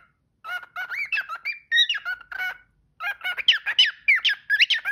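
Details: Pet parrot singing and talking: rapid squeaky chatter of warbled, bending notes in two bursts separated by a short pause, with a brief spoken word afterwards.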